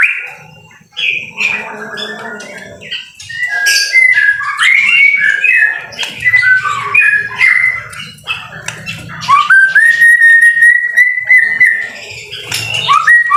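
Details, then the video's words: White-rumped shama in full song during rain, tumbling mix of whistles, chips and trills, then a long steady held whistle before more varied notes, faint low rumble beneath. "BIRD SOUND IN THE RAIN SUPER SPECTACULER / MASTERAN MURAI BATU GACOR"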